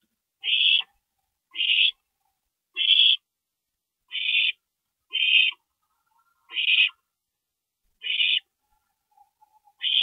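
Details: Night at an owl nest, 2:40 AM, 22 April 2012, as a parent stops by; eight short, harsh hissing bursts repeat roughly every second and a quarter, with a faint low whine in the background.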